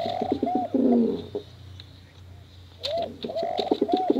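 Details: Pigeons cooing, male and female, a lure recording for young birds: a burst of deep rolling coos, a quiet gap, then swooping hoots and choppy coos return.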